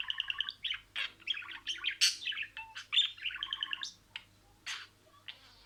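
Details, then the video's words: Talking budgerigar at home: rapid ticking syllables open into a dense, buzzy babble of squeaky phrases, then a few spaced chirps trailing off. "SIRALI KELİMELER, MUHABBETKUŞU SESİ,MUHABBETKUŞU KONUŞMA SESİ DİNLE"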